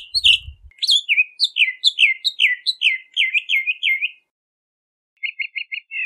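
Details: Bahama mockingbird delivers a fast sequence of downward-slurring whistled notes, then a wavering trill, pause, and a short set of four quick repeated notes.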